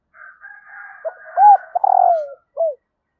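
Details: Female spotted dove calling to stimulate males. A soft raspy murmur leads into an arched coo, then a long drawn-out coo falling in pitch, ending with one short falling note.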